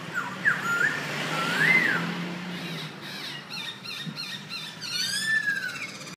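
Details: Nok so hu singing and displaying in front of a house: looping whistled phrases that rise and fall, followed by a run of quick chirps and a final drawn-out descending whistle, over a low background rumble.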